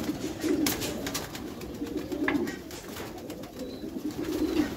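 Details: Low, rhythmic cooing from several Meulemans racing pigeons in a backyard loft, coos pulsing in short bouts alongside occasional clicks and soft rustling.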